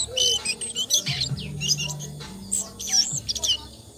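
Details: Asian brown flycatcher (Muscicapa dauurica) giving sharp, high chirps and short squeaky notes in clustered bursts, with a low steady droning tone underneath for part of the time.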